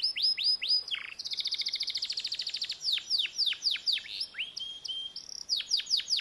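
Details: Canary singing continuously: loud falling whistled sweeps, then a fast, even, buzzing trill of rapid notes, followed by more steep descending whistles and a brief rising note, all bright and high.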